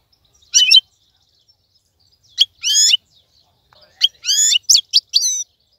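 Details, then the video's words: Caged wild-caught European goldfinch utters spaced nasal, buzzy calls and sharp chips, single at first and then several in quick succession near the end. "مقنين خلوي يغرد بصوته النظيف, تغريد حسون بري دون توقف"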